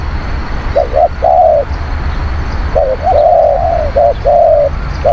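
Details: Spotted dove song used as a decoy for wild doves: two cooing phrases of clipped double notes leading into a drawn-out level coo, with a short pause between phrases, over low rumble.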